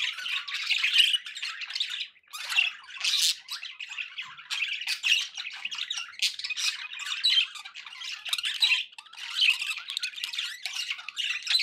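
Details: Flock of pet budgerigars calling for relaxation listening; a long, busy wash of squawks, chirps and buzzy warbling with loud swells about every two seconds and one short pause.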